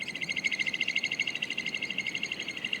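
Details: Pied oystercatchers piping at dusk at Nudgee Beach near Brisbane, Australia, on the foreshore: a fast, steady run of shrill high notes, about eight per second, with faint low background rumble.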